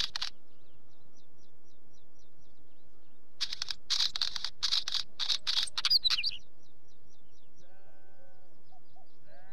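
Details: Wheatear song: a brief scratchy note at the start, then a three-second run of harsh, crackling rattles ending in a twisting flourish. Faint, regular high chirps from another bird and a low drawn-out tone sound in the background.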